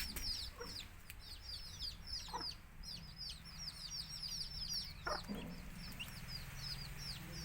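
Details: Domestic chickens, chicks with a mother hen calling them to eat, in Tamil country-chicken rearing: dense high peeping from many chicks, downslurred notes overlapping constantly, with a few low clucks and a steady low hum beneath.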